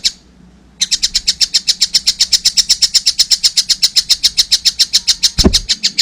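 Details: Young collared kingfisher: after a brief silence, a long run of piercing, rapidly repeated notes, near four per second, with a soft thud near the end.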